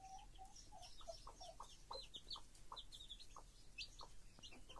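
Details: A hen with her chicks: a dense stream of short high chick peeps over soft, spaced clucks from the mother, with a faint background hiss.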